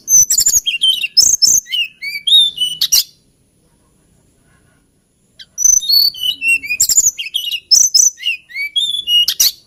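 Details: Lilting song of a hill blue flycatcher: dense bursts of very high, varied whistles and quick sliding notes, a phrase of about three seconds, a pause of over two seconds, then another long, jumbled high phrase.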